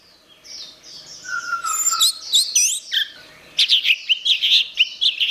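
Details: Orange-headed thrush song as a master recording for teaching songbirds. A quiet, high warble with a drawn-out lower whistle rises into squeaky, rising slides, then a fast burst of loud, scratchy repeated notes.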